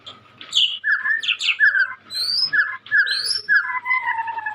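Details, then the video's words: Young white-rumped shama, a caged bird kept by Indonesian songbird hobbyists, singing actively: varied whistled phrases with slurred notes, repeated in short bursts, then ending in steady paired tones. "Burung Murai muda gacor calon juara"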